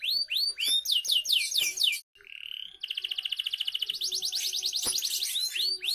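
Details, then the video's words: Canary song to trigger singing in young canaries: series of descending swept whistles, a brief pause, a rising whistled note, then a long fast trill shifting into rolling swept phrases. "PANCINGAN KENARI UNTUK BURUNG KENARI MUDA"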